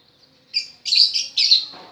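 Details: Lovebird practising its song gives a short chirp followed by a run of harsh, shrill, buzzy notes in two bursts, with a soft rustle at the end.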